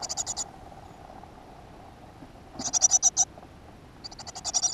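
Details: Great tit at a nest box in a school garden, early June 2015: bursts of rapid, high, buzzy-ticking notes in three groups of about half a second to a second each, over a steady low hum.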